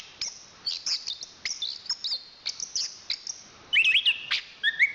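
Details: A national champion Chestnut-capped thrush from Southeast Asian forests sings spaced sharp chips, then ends with louder warbled whistles and rising slurs.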